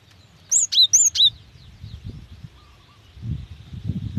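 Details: Cinereous tit female calling to a male: a tight run of four high, clear notes, each a sharp rising chirp that drops into a lower tail, followed by quiet with faint low rumbling.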